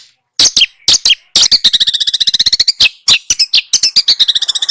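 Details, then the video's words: Small birds sing a tutor song for training a white-rumped shama. A few loud, high chips lead into a fast, rattling trill, then more bright chips and a second shorter trill. "masteran burung kecil agar murai batu gacor AMPUH buat PANCINGAN murai batu agar bunyi EMOSI"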